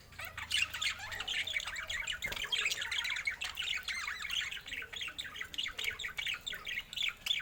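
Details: Budgerigars keep up steady chattering, with rapid short chirps and warbles repeated several times a second and only brief pauses throughout.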